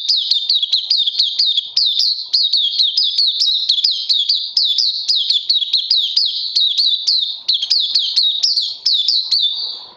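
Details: Kept oriental white-eye (puteh) on day two of a combined supplement course, 31 May 2020, delivering a continuous, rapid, high chattering song of sharply inflected chirps, roughly four notes per second, without pause for ten seconds.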